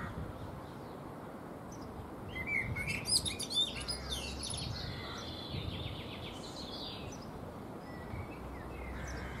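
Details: Eurasian blackbird preening in a fruit tree, song mostly a quick run of high, squeaky twittering notes after a quiet start, with a few softer fluted sounds later amid low rumbling noise.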